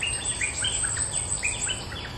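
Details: Bulbul lure call delivered energetically: rapid, bright whistles that slide downward, packed closely together, with a high thin chirping layer and soft low rumble underneath.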